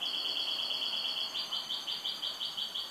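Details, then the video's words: A pet goldfinch sings a continuous high trill, smooth at first, then breaking into rapid pulsed notes repeated about five times a second, ending in a sharp chirp. "MI JILGUERO"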